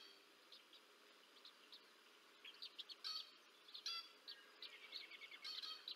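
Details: Bald eagles at the Decorah North nest, 30 March 2024, with an adult feeding two young. Scattered thin, high chirps grow busier and louder toward the end, coming in quick clusters of sharp notes.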